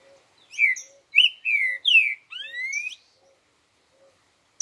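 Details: Green-winged saltator singing its four-note 'boi' song style: a string of loud, slurred whistles that sweep downward, ending in a long rising whistle, about two and a half seconds in all, with a faint low tick repeating steadily behind.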